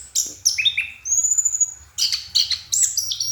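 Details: Orange-headed thrush, locally anis kembang, singing at night: a varied run of loud high whistles, short slurred notes and one long sustained whistle, broken by brief pauses; a faint low hum underneath.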